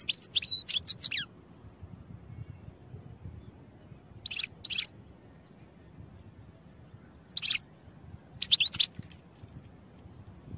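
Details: European goldfinch song meant for training: short bursts of high, rapid twittering notes around 0.5, 4.5, 7.5 and 9 seconds, separated by quiet gaps over a low background hum.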